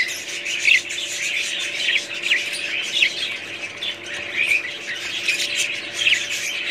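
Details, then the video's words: Budgies warble and chirp as a flock, with louder squeaky notes standing out every second or so above a constant bed of soft twittering. "budgies parrots"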